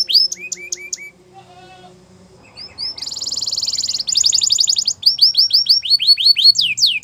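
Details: Canary song used to train canaries to sing: scattered clipped notes, a short pause, then a dense buzzing trill followed by fast rising and falling chirped phrases.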